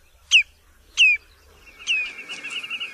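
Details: Common redshank, Tringa totanus: two sharp falling whistles in quick succession, then a third that runs into a rapid, rippling series of repeated whistled notes.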